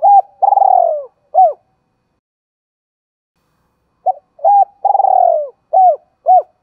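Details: Spotted dove calling as a lure to rouse wild doves, giọng thổ song style: a hooked coo, a long trilled descending coo and a short coo, then a three-second silence and the same phrase repeated.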